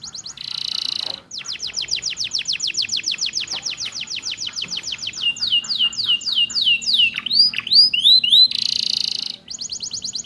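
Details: Canary song for training captive birds, filled with ciblek and prenjak phrases: buzzy bursts framing a long run of quick repeated downslurred notes, then looping slurs and deep sweeping whistles.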